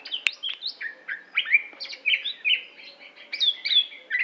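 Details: Greater green leafbird of the Aceh type, from Aceh, Indonesia, described as a competition achiever, singing a rich varied run of clear whistled phrases, slurred notes and sharp chips, rising and falling, in quick succession with no other sounds.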